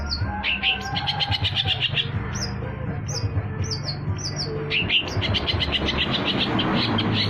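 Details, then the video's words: Long-tailed shrike song played as a lure for trapping, mixing rapid buzzy trills with repeated short high upslurred chirps, against steady low-pitched rumble. "PANCINGAN CENDET"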